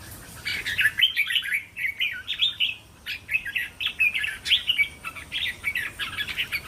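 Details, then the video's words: Red-whiskered bulbul singing a linked 'tor' style song, kept for training young caged birds: a continuous run of short bubbly whistled phrases, each a few rising-and-falling notes, repeated with hardly any pause. "เสียงนกกรงหัวจุก เสียงยั่วๆๆสายต่อ"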